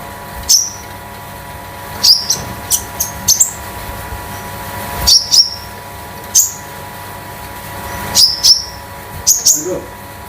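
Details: Pet konin, 'damer metalik' type kept at home, used as a master bird for training: single piercing high chirps spaced a second or more apart, some in quick pairs, over a steady low electrical hum indoors.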